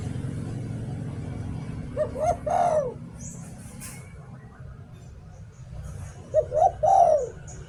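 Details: Two "liu tan" song phrases from a spotted dove used as a decoy. Each has clipped introductory coos and a long rolling coo dropping in pitch, set against a low droning background.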